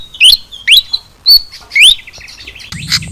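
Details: Pied fantail calls used as a lure to draw wild fantails down: sharp, high whistled chirps that sweep up and down, about five bright notes in three seconds, ending in a short burst of noisy rustling.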